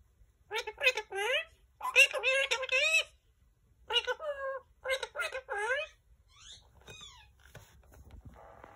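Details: Male green Indian ringneck parakeet chattering in mimicked speech indoors: several quick bursts of high, reedy word-like syllables, then softer, fading sounds with light background noise.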